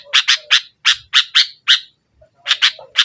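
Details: Sooty-headed bulbul chattering in the rival-pressing nggaruda style, used to coax a silent bulbul: loud rasping chips in quick pairs and threes, a brief pause, then more.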